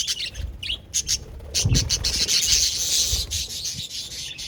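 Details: Budgies twittering in a bright, rapid chatter that swells into a continuous buzzy warble in the second half.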